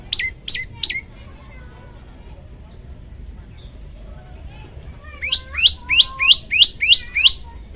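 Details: Varied olive-backed tailorbird song for training birds: three sharp, falling high notes, a quiet gap of about four seconds, then a quicker run of eight notes mixed with lower sliding whistles.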